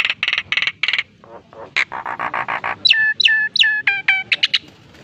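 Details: Nias hill myna singing actively, a species said to copy human speech; harsh rasping bursts, then softer lower murmured notes, then clear stacked whistles that slide downward, in a lively, irregular sequence.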